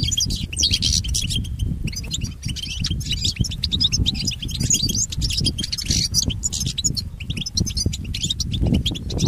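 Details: European goldfinch song for training pet goldfinches. Continuous high, chattering twitters, with a loud, steady low-pitched rumble underneath.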